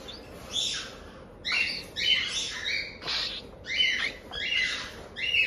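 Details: Month-old cockatiel chicks at a Tokachi, Hokkaido breeder beg with harsh 'jaa-jaa' cries. About six rough, hissing squawk bursts come in a row, each lasting around half a second.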